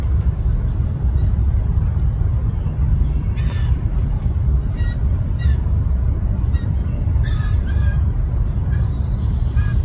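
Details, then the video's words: At least two very hungry fledgling blue jays in a yard, begging as the parents push them to forage alone: scattered raspy, nasal squawks repeated irregularly across ten seconds, with a heavy low rumble beneath. "Baby Blue Jays"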